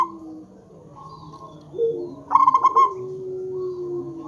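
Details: Local zebra dove used as a lure for other zebra doves: one quick trilled coo of pulsing notes, preceded and followed by softer, lower drawn-out tones.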